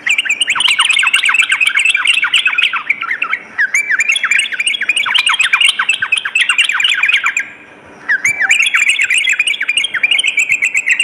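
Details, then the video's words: Sooty-headed bulbul at night: bursts of rapid, dense chattering notes dipping and rising, broken by a brief pause near eight seconds before the fast phrases resume. "terapi trucukan dimalam hari"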